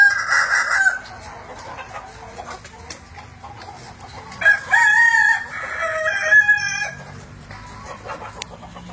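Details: Kukuak Balenggek rooster, an Indonesian endemic chicken breed, crowing in the evening: a short harmonic opening note, a pause, then a longer crow broken into several stepped, ringing syllables.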